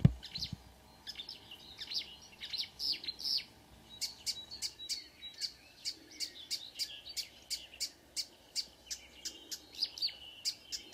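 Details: Marsh warbler singing in early June morning near Ski, Norway, among a couple of singers; hurried mixed chattering phrases at first, then a fast string of sharp ticking notes about three per second.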